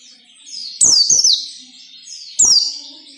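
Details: White-eye song in the ngalas nembak style, used as training audio for captive birds: a continuous high twittering warble with two loud, sharp, descending whistled sweeps, each starting with a crisp click.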